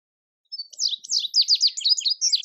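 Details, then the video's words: Indigo bunting song of bright, clear, high-pitched notes, many given in quick pairs, forming a lively two-second phrase. "Indigo Bunting Song"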